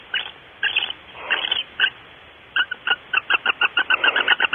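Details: Barn owls at Starr Ranch before dawn, 5:45 am on 5 August 2013, one bird still in the nest. Short sharp clicking chitters sound in loose clusters, then a fast even run of about a dozen clicks at the end.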